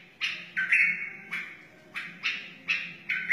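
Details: Song of a wild white-eared bulbul, meant to teach chicks and stir other bulbuls: short bursts of rich, slightly buzzy whistles, one every half second or so, over a low background murmur.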